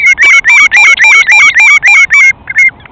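A Common Redshank gives a fast run of about ten loud, ringing, slightly yodelled whistles, three or four a second, ending in a couple of softer notes.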